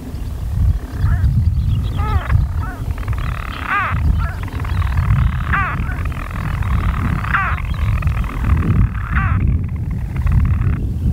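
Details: European storm petrels calling from nest burrows in daytime on 5 June 2013, Skokholm, Pembrokeshire, Wales: a continuous churring purr broken by sharp hiccup-like notes about every one to two seconds, over strong low wind rumble.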